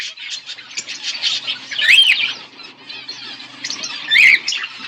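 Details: Pet budgie pair chirps continuously in soft rapid chatter, broken by two louder rising-falling squawks about two seconds apart.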